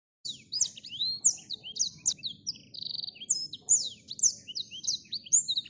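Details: An agitated Blackthroat (Calliope obscura) pours out a rapid song of thin, high chirps, slurred whistles and short buzzy trills, with barely a pause between phrases.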